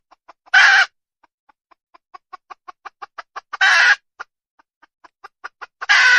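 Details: Red junglefowl hen calling: short dry clucks spaced through the clip build toward three loud, harsh, broadband squawks of about a third of a second each, with quiet gaps and no other sounds.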